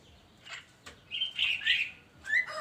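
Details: Javan myna singing in the morning: short harsh squawky bursts and brief whistled notes, with quiet gaps between phrases.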